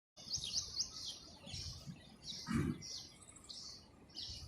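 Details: Sparrows chirping while eating food: short high bright chirps repeated in quick irregular bursts, several overlapping, with a low rumbling background and a brief thud midway.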